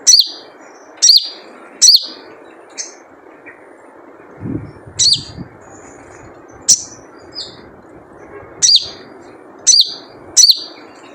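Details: Crimson sunbird lure call, 'jrejet cuit' of a wild bird: piercing high chirps, each with a quick downward twist, repeated about every second, with a faint low thud midway and soft hiss throughout.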